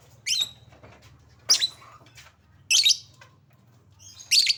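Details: Lovebird lure recording: four harsh, shrill chirps with rough, buzzy texture, spaced just over a second apart above a steady low hum.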